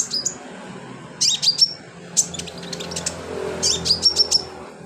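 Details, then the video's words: Sunbird in full song for training other birds: dense clusters of high, sharp chirps and short whistled notes in quick succession, with brief pauses between bursts. "BURUNG KOLIBRI/CONIN GACOR buat isian"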